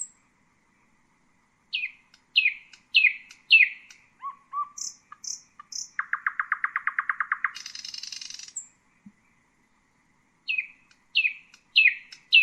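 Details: Common nightingale singing in varied phrases: rising high notes repeated about every half second, soft low whistles, then a fast dry rattle of evenly spaced notes, a buzzy trill, and more rising notes after a pause.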